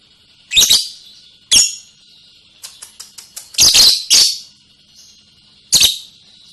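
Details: Lovebird singing its ngekek trill: repeated loud rasping chatter bursts over a continuous high buzzing trill, with a run of quick ticking notes in the middle.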